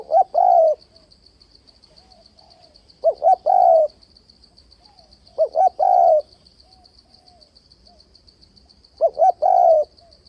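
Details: Trap-decoy spotted dove giving its cooing phrase four times, roughly every three seconds: a pair of quick hollow notes followed by a longer falling coo, with a faint continuous insect chirring in the background.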